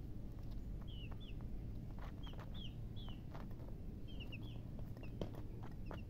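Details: Chicks chirping: about a dozen separate high, slightly downslurred peeps, some in pairs, spread across several seconds against a continuous low hum and faint knocks.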